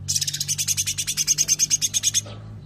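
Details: Sooty-headed bulbul delivering the "tembakan rapat" (close-fire) style: an unbroken, rapid buzzy rattle of even pulses, roughly nine a second, running for over two seconds before cutting off.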